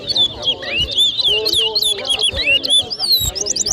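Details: Competing chestnut-bellied seed finches (towa towa) at a 2023 whistling contest in New Amsterdam, Berbice, Guyana. A steady, dense stream of bright, sweeping whistles and chirps with upward and downward slurs, with faint people talking underneath.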